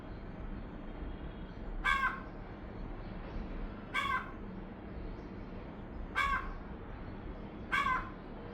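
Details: A talkative house crow calling at a window gives four harsh, nasal caws about two seconds apart while a woman quietly scolds it and offers it food, over a low background hum.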